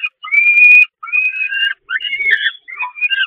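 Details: Peregrine falcon young begging while being fed on the nest grating at the Catharinakerk, 11 May 2021; thin, high whining screams, one long and steady, then shorter broken, wavering notes.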